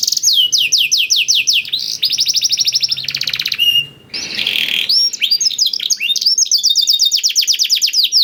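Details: Canary with tutored blackthroat song, played to stir canaries into song: fast whistles and a dense buzzy trill, a short noisy break near four seconds, then varied rapid chattering phrases.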